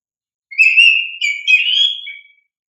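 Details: Oriental magpie-robin singing hard, used to stimulate young caged birds to answer; one long clear whistle that holds steady, then breaks into rising twittered notes and ends with a brief lower whistle.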